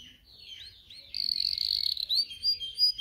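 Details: A canary singing for canary training: soft swooping notes lead into a dense buzzy trill, ending with a few separate clear rising whistles.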